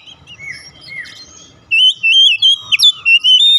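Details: Oriental magpie-robin song meant to coax a silent bird to sing: quiet soft whistles first, then a loud run of wavering whistled notes and sharp upward flicks repeated rapidly.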